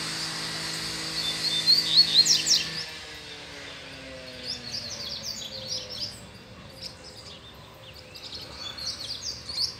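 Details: Male double-collared seedeater in a cage, excited by a female nearby, gives a short run of high chirps and steep slurred notes amid a steady low hum, followed by scattered softer high notes.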